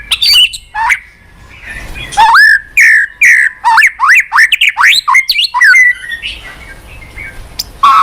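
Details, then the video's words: White-rumped shama, a lure recording to prompt a quiet kept bird to sing, delivering loud rich whistled phrases, rising and falling slurs and sharp chips in quick bursts, with a pause near the end before a last whistle. "Pancingan MURAI BATU MALAS BUNYI Sekali putar langsung NYAUT ,GACOR & BONGKAR ISIAN"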